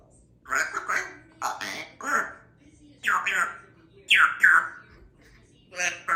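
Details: African grey parrot, chatty in the morning, talking indoors in a small room: a run of short speech-like phrases and squawky syllables in bursts, with a person speaking nearby.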